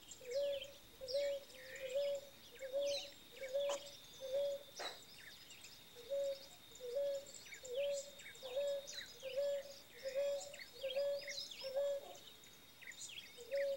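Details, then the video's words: ['Territorial song of a male ruddy ground dove as his mate incubates eggs: long runs of brief, even, low coo notes about two per second, one short pause midway, over a busy chorus of high-pitched birds.'] "Rola caldo de feijão demarcando território."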